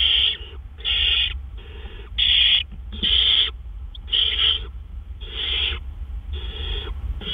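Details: Gopher delivered to a great horned owl nest at night, 10 April 2013, 1:43 AM. Nine harsh, breathy screeches come in a fairly even series, each lasting about half a second, over a low steady hum.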